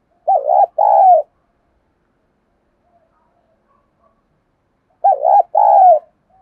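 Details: Spotted dove kept as a decoy in Vietnam, cooing to provoke wild doves: two phrases nearly five seconds apart, each a quick warbled note followed by a longer mellow coo, near-silent gap between.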